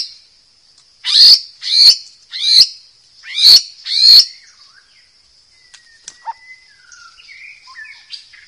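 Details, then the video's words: Wild white-rumped shama, recorded as tutor song for young birds: five loud harsh, scratchy bursts about half a second apart, then faint soft twitters and thin whistles against a constant high background hum. "MASTERAN MURAI BATU DIALAM BEBAS COCOK UNTUK TERAPI BURUNG MURAI BAKAL"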